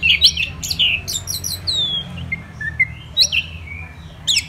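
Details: Caged Orange-headed thrush singing energetically: bright chirped notes, then long descending and rising whistled slurs, with short pauses between phrases; low background hum.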